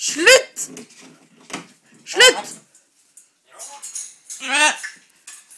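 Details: A pet macaw talks in Norwegian with harsh, throaty, human-like words such as 'nei', 'slutt slutt', 'ikke bite' and 'vær så god'. The loud short phrases come about two seconds apart, with softer voices and household noise between.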